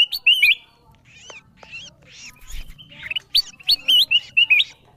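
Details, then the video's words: Lure sound of ruby-throated bulbul used to call wild birds. Clear wavering whistled notes twist up and down and come in short separate phrases, with softer chirps and faint low rumble in between. "Suara pikat kutilang emas memanggil burung liar paling ampuh"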